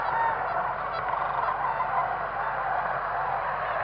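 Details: Whooping cranes at their roosting area in early morning around sunrise: a dense, continuous chorus of many overlapping honking calls from a large gathering, with a steady wash of background noise throughout.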